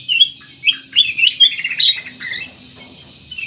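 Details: Black-naped oriole singing actively, a lure to prompt other birds to sing: a quick string of bright chirps and upslurred whistles in the first two seconds, then a short warble and quiet.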